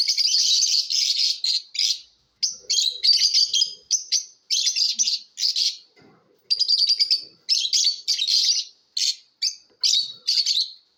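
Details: Competition lovebirds chattering: piercing, high-pitched chirps in fast buzzy bursts of one to two seconds separated by short gaps, with some trilled, rattling runs mixed in.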